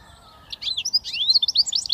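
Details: A British goldfinch mule hybrid begins after a short silence with a rapid, bright twittering warble of tumbling high notes that carries on to the end.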